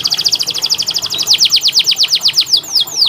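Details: Tutor song for training canaries that sing little: a continuous rapid trill of high notes that shifts into broader, slower downward-sweeping notes near the end, loud and clear throughout.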